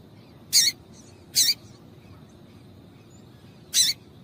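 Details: Female double-collared seedeater calls used to make the male sing: three loud, sharp, high buzzy chirps, the first two under a second apart, the third after a longer pause, with only faint hiss between.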